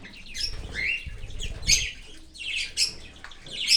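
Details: Cockatiel chick being fed by a parent from outside the nest in an open aviary: harsh, buzzy squawks in uneven bursts, with low thumping and rustling below.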